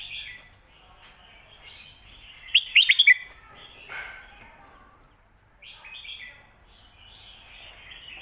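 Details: Red-whiskered bulbul song of the 'Phat Kuai Tiao' / 'Khayao Khuat' type for teaching pet birds. A brief rippling whistled phrase sits among chattering chirps and warbles from other birds.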